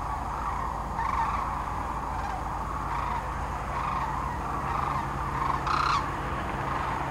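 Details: Spring gathering of sandhill cranes along Nebraska's Platte River, mid-March 2009, on northward migration; a constant crowd chorus with louder rolling calls rising above it about every second, one bugling close near the end.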